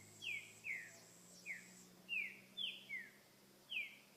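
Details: Wild green-winged saltator delivering its repetidor souto song style, a series of brief, bright, downward-sliding whistled notes spaced unevenly, with a soft low hum beneath.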